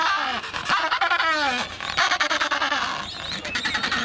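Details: Breeding colony of Adélie penguins on Paulet Island, Antarctica, in February 2019: raucous rhythmic braying calls with pulsing harmonic notes, many birds calling together.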